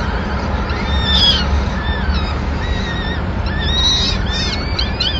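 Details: Madrid, 26 April 2016: a male peregrine falcon brings the first food of the day, a small bird, to feed the chicks. Drawn arched calls come singly, then a busier burst near the end, over low rumble.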